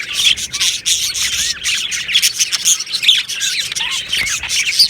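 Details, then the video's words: Budgerigar colony in an aviary, 22 June 2025: lively warbled chatter with clear upswept whistles and downward slurred squeaks standing out over a scratchy background of many birds. "Budgie singing sounds | Budgie chirping sounds"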